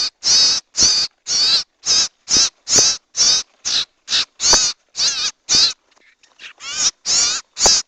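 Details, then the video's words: Owl (sirtu, cipou) call recording used as a lure for catching these birds: harsh, hissing screeches repeated about twice a second in a long series, each lasting a third of a second, with a brief pause before resuming. "MP3 PIKAT BURUNG CIPOU || BURUNG SIRTU"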